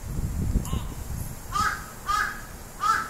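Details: A crow, startled by its own voice played back from a phone recording, gives three harsh, hoarse caws about half a second apart and flees, over low rumbling handling noise at the start.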